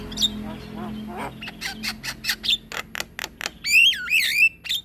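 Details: Black-winged myna singing for use as a tutor to other mynas: a run of sharp chips followed by loud twisting whistled phrases and harsh rasps.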